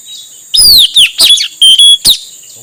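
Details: Male Asian fairy-bluebird song, used as a lure for wild birds: loud, clear down-slurred whistles in a quick burst of five or six notes, ending with a short sharp note, over a steady high hiss.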